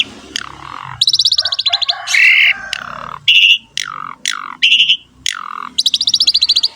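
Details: Asian pied starling singing actively with rich varied fill-in phrases: loud downslurred whistles alternating with fast high rattling trills and brief harsh squawks, in quick succession.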